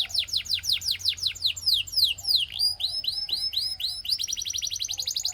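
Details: Russian singing canary delivering a varied song: rapid descending slurred notes, a few deeper swooping phrases around mid-song, then rolls of high chipping notes and a closing quick trill.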